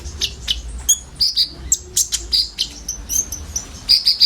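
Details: Common iora song with isian filler notes, used as a lure for sunbirds: short high whistled notes and sharp chirps, uneven in spacing, over a faint low hum.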